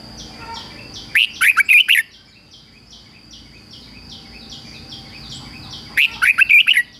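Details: Decoy red-whiskered bulbul singing to lure wild rival birds: two quick phrases of sharp, bright, up-and-down whistled notes about five seconds apart, with a repeated faint chirping of another bird in the gap.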